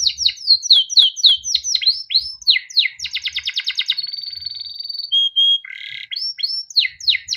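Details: Pet male canary in extended chirp-and-roll song used to train young canaries; falling chirps, a quick roll, a long sustained rolling trill, a clear whistle, a buzz, then more swooping chirps.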